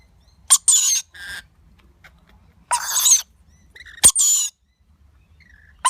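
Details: Baby lorikeet begging during feeding by its parents: repeated loud rasping squawks, each led by a quick sharp click, with quieter nasal notes in the gaps.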